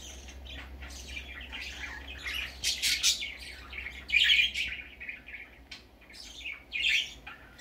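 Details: Baby budgerigar out for the first time, giving rough warbling chirps that build into louder scratchy bursts around the middle and again near the end.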